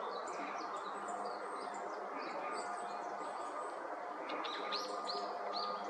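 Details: Red-flanked bluetail giving thin, high chirps and short upslurred notes in loose series, bunched near the end, over steady hiss; presumably excited calls as other mountain birds flocked in.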